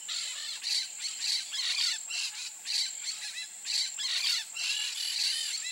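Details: Peach-fronted parakeet (Eupsittula aurea) calling with short, harsh, scratchy notes repeated about twice per second in an uneven rhythm, against a continuous thin high hiss.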